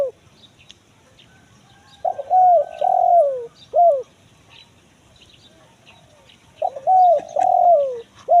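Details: Spotted dove, 'kuk 1 mersik' call style, a lure for wild forest birds: two phrases, each a quick double note, a long descending coo and a short sharply arched note, with about three seconds between them.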